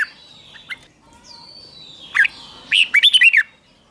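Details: Red-whiskered bulbul singing at dawn for competitive-song training; thin drawn-out whistles from other birds, a single chirp, then a quick string of five or six rollicking, bouncy whistled notes.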